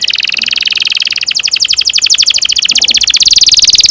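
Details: Long rolling canary song meant as a tutor for young canaries: continuous high trills, notes repeated very rapidly and changing speed partway through, running through the whole stretch.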